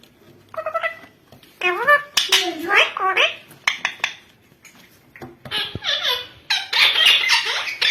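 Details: Yellow ringneck (rose-ringed) parakeet talking: bursts of high, harmonic squawks and speech-like mimicry with rising and falling inflections, broken by short pauses and a few sharp clicks, in a small room.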